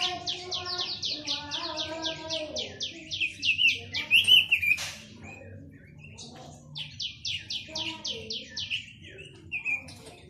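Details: Chinese hwamei song: a fast run of about a dozen sharply repeated whistled notes, then a brief loud flourish, a pause, and another rapid repeated series ending in a slurred whistle.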